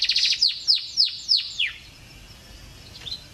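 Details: Canary song from an Indonesian tutoring compilation mixed with soothing trickling water. A rapid, high chatter leads into four loud whistled notes that each slide steeply downward. Steady hissing water fills the rest.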